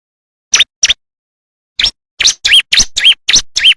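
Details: Wild bar-winged prinia song, a natural recording intended to teach caged birds: after a few scattered sharp notes and a pause, a quick run of loud, chirping up-and-down swept notes repeated several times a second.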